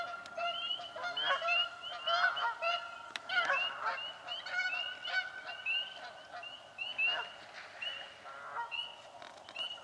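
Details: Canada geese fighting for nesting spots in a swamp, giving loud, overlapping nasal honks in rapid irregular bursts, several birds calling at once, with other marsh sounds behind.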